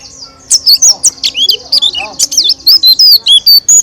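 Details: A white-eye in full, loud, open-beaked song: a jumble of very high, sharp, looping whistles and chips delivered rapidly and unevenly, in the roll tembak style.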